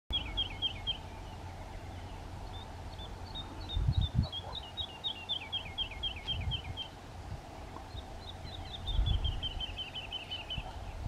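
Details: A woodlark (Lullula arborea) in Brtonigla, Istria, gives liquid, falling series of high notes, speeding up like 'lu-lu-lu-lu', over a low rumble and a steady background hum.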